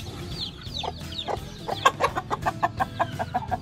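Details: Mother hen free ranging with week-old chicks, some adopted, on a farm in Sialkot, Pakistan, while feeding and mud bathing. Thin descending chick peeps open, then the hen's short low clucks repeat steadily about five per second, over soft background music.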